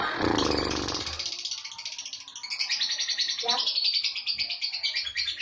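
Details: Long lovebird chatter (ngekek) for training other birds: a brief low rumbling noise at the start, then steady high-pitched rapid pulsing chatter running through to the end.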